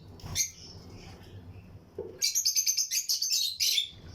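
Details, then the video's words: Lutino lovebirds in pairs inside a breeding colony aviary cage, with other birds nearby. After a quiet start with one short chirp, a rapid run of shrill, high-pitched chirps follows, bursting out several times per second over faint low hum. "Lutino Lovebirds Breeding Colony Cage - Chirping and Relaxing Sound"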